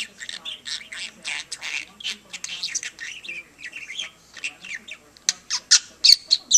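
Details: Pet budgerigar chattering at a lamp indoors, giving a steady, rapid stream of high warbled syllables, clicks and squeaky notes that grow louder and sharper near the end.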